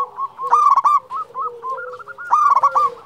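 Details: Actively calling champion local zebra dove, two strong bursts of fast stuttering coos at the start and end, separated by quieter repeated coos from other doves.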